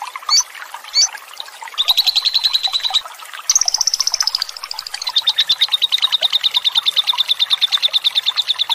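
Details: A lovebird's long ngekek trill used to coax other lovebirds into singing, with flowing water behind: two short squeaks, then fast rattling runs of high notes that step down in pitch and continue steadily.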